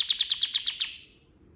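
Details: White-eye master song for training other birds. Seven sharp, high chips come in quick even succession, then trail off into quiet.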